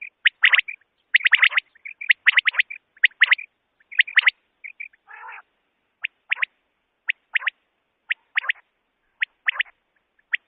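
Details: Common quail calling for night hunting, a steady series of short sharp high notes, often doubled or tripled, repeated about once a second, with one brief rough buzzy burst midway.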